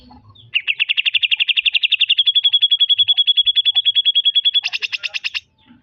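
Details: Greater green leafbird singing a trotol-style phrase: a fast rattling trill of clipped notes that steadies into an even high tone, then breaks into a harsher buzzy trill before stopping.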